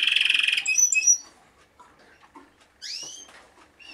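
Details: Singing Timbrado Español cock, vice German champion of 2013 and one of a collection of four, opening with a dense rolling trill, then clipped metallic notes, a near-silent gap and a loud rising whistled sweep.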